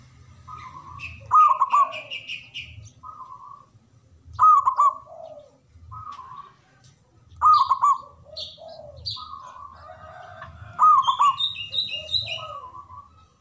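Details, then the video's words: Local zebra dove with a big voice singing in manggung style: short trilled cooing phrases near one pitch, repeated about every three seconds, with thin chirps from other small birds in between. "Perkutut Lokal Gacor Suara Besar Manggung"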